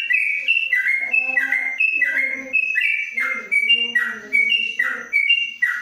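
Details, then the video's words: Caged yellow-vented bulbul under a cover in Kebumen, Indonesia, singing 'ropelan panjang': regular whistled note pairs, high then lower, about seventy-six per minute, while a man's voice talks quietly underneath. "Trucuk Ropelan Panjang dalam krojong"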